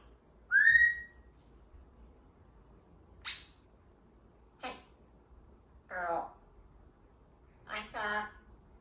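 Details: Pet African grey parrot that has learned to say the dog's name; a clear whistled note, then four short breathy speech-like utterances spaced about one to two seconds apart.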